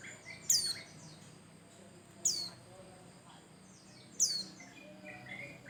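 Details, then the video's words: Bustomi white-eye singing as a prompt for other birds: three single piercing, downslurred chirps spaced about two seconds apart over a faint, quiet background. "Pancingan Burung pleci Bustomi Cal 1,2,3 Gacor"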